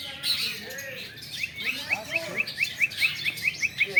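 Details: Long-tailed shrike singing at a bird-singing practice contest, where birds train for championship singing: a rapid run of short, sharp, high chirps, about five each second and growing louder, over a busy background of other birds and human voices.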